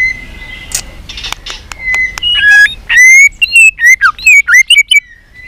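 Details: White-rumped shama trained for singing contests: a thin steady whistle and clicks, then a fast series of loud bright whistled notes rising and dropping, with a constant low hum behind.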